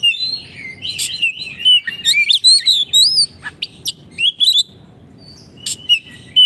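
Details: Oriental magpie-robin singing energetically, a recording meant to coach caged birds that no longer sing: looping melodious whistles and wavering notes broken by loud dry clicks, then a quieter spell before more phrases.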